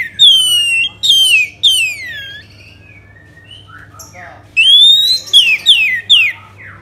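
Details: Orange-headed thrush from Singaraja, Bali, giving a lure song to start other birds singing. Three loud, downward-sliding whistles come first, then a pause with soft chirps, then a rising whistle and several quick descending slurs.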